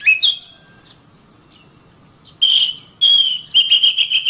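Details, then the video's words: Oriental magpie-robin song used as a master recording for training caged birds: a sharp whistled note at the start, then after a pause loud sustained whistles near one pitch with rapid buzzy overtones. "SUARA BURUNG - Masteran Terbaik Kacer"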